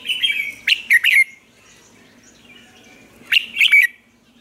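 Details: Caged red-whiskered bulbul from Vietnam, kept as a lure bird to coax newly caught bulbuls into singing, gives two bright, fluttering three-note whistled phrases about two and a half seconds apart, with a pause of faint background between them.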